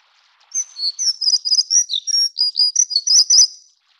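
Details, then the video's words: Plumbeous redstart, Taiwan endemic subspecies affinis of stream habitats, delivering a continuous high-pitched, tinkling, scratchy warble of quick chirps and short trills lasting about three seconds in a quiet setting. "鉛色水鶇(紅尾水鴝)/Plumbeous Redstart"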